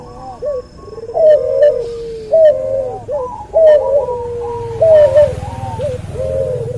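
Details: Hybrid cuhu dove from a white albino puter and puter pelung cross coos in quick series, each phrase a short rise then a long falling tail, with light chirps and some hiss near the end.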